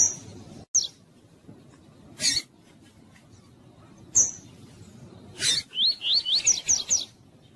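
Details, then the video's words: Female coleiro tui-tui, a double-collared seedeater, peeping to warm up males and stimulate their singing; isolated high sharp notes and noisy clicks, then a closing rapid series of about seven rising chirps. "Piado de Fêmea de Coleiro para Esquentar Coleiro Rápido!!"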